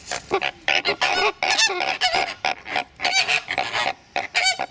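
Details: Greater flamingos (Phoenicopterus roseus) at the start of the breeding season fight over the best nest sites, pecking with bills without injury, honking in harsh, goose-like, overlapping volleys as several birds call over one another.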